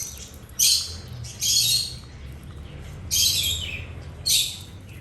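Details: Birds eating and chirping, giving four separate bursts of harsh, buzzy chirps spaced about a second or more apart against quiet background.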